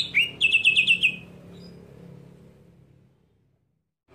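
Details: Greater green leafbird scream aimed at provoking other leafbirds: one shrill upward-sweeping note followed by a fast trill of about five sharp, high chips, then quiet.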